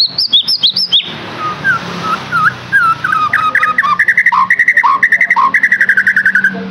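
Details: White-rumped shama song meant to stimulate a captive bird to sing: high twittering whistles open, then lower looping slurred notes, building into a fast, steady train of repeated whistled notes with alternating higher and lower tones.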